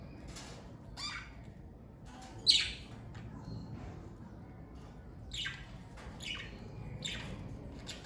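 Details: Pet parakeets of a family flock, kept together, give short scattered chirps and brief harsh squawks, spaced irregularly every second or so over a quiet, low background hum.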